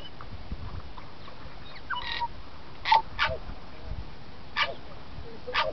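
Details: Tui, native to New Zealand, north of Auckland: sparse song of brief clicky bursts and short tonal notes, one held steady whistle near the start, spaced a second or so apart in a quiet setting.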